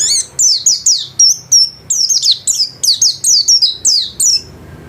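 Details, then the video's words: Caged white-eye kept as a home-class bird, singing actively: about fourteen sharp, very high notes in five seconds, each sliding steeply downward, delivered in quick, slightly irregular bursts. "Burung pleci gacor kelas rumahan"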